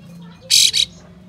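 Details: Rasping double burst from a kapas tembak (Ashy tailorbird) showing its tail. The first note is longer and the second shorter, rough 'besetan' calls used to goad other birds into display.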